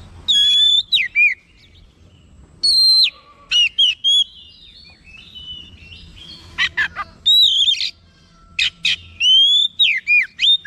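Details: Oriental magpie-robin, described as previously lazy, reacting at once to a heard sound, growing excited and singing in full, showing off its repertoire of learned phrases; loud clear whistles, sweeping high notes and rasping buzzy bursts delivered in quick runs separated by short pauses.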